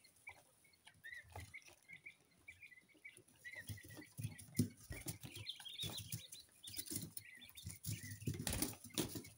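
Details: Kept coturnix quail chicks, two weeks old and of mixed colours, give short, thin chirps in quick uneven series, then become partly covered by bumping and rustling sounds.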